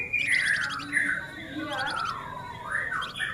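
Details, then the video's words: Male flamboyan in full song, delivering a dense, rapid 'nyerecet rapat' run: bright chattering trills with quick high buzzy strokes over sliding whistled notes, in several bursts. "Suara Alami Flamboyan Jantan Gacor Nyerecet Rapat"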